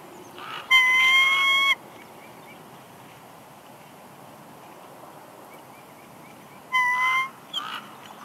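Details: Nesting female bald eagle at Big Bear Lake, California, on 6 March 2021, whining as the male brings a headless fish; two separate, slightly rising whistled notes about six seconds apart, with quiet background hiss between.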